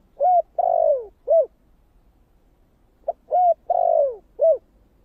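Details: Spotted dove cooing in the 'giọng thổ kích bổi' style: two matching low, hollow phrases about three seconds apart. Each has a short note, a coo, a long coo sliding downward and a final short coo. No other sounds.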